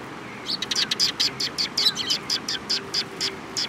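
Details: Sparrows gathering to be fed at Mizukami Bridge on 18 May 2021 produce a dense, lively chatter of high chirps, roughly a dozen closely spaced notes running almost continuously, over a faint low hum.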